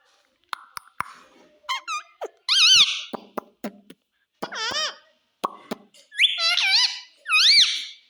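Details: Pet parrot mimicking the words "mummy" and "papa": a series of loud, clear harmonic vocalizations with wavering, up-and-down pitch, separated by sharp clicks and short silences in a quiet indoor setting.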